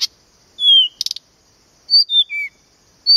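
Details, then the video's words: A Blyth's reed warbler in Podlaskie, Poland, gives a drawn-out falling whistle, a burst of quick clicks, then two stepped descending whistles, against near silence. "zaroślówka (Acrocephalus dumetorum),Planta, woj.podlaskie"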